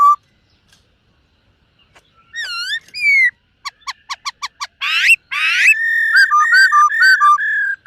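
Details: Silver-eared laughingthrush singing in the morning to train its voice: a short low whistle, then rich harmonic whistled notes, a fast series of about eight clipped notes, two harsh rasping bursts, and a run of rapid loud whistled phrases.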